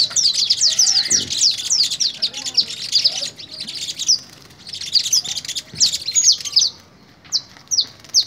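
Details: Canary fogueo (song training), Pelaya, Cesar: a dense, rapid high-pitched warble of chirps and downslurred notes, a short pause, another burst, then a few isolated sharp notes.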